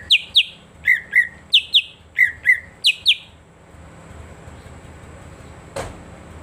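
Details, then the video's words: Green leafbird (cucak ijo) lure song to prompt silent birds to sing: pairs of sharp downward-sliding whistled notes repeated about eight times, then quiet, with a single click near the end. "pancingan suara cak ijo sangat ampuh untuk terapi cak ijo macet"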